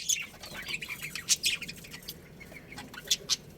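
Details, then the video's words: Budgies from a breeding pair setup in a colony, giving thin high chirps and squeaky twitters, scattered and uneven, with a few sharper peeps standing out over a quiet hiss. "Cute Budgies Chirping Sounds"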